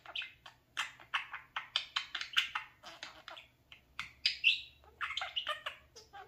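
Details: A male pet parakeet playing in front of a mirror chatters in a fast, scratchy stream of short squawks and warbled chirps, about three or four bursts a second, with a few faint speech-like notes.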